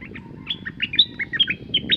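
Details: Caged red-whiskered bulbul singing a rapid run of short, bright chirped and slurred notes, each sweeping up or down, delivered almost without pause over about two seconds, with a low background rumble.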